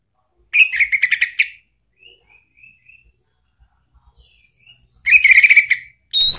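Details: Orange-headed thrush in ngeplong-style lure song to make a kept bird answer: a rapid rattling whistled phrase, soft short whistles in between, then another fast trilled burst and a sharp rising note.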